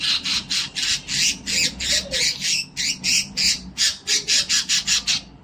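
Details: Singing while dancing and playing, a cockatiel repeats loud, rasping squawks in a steady rhythm, roughly four per second and around twenty in all, each note short and harsh, with brief gaps between them.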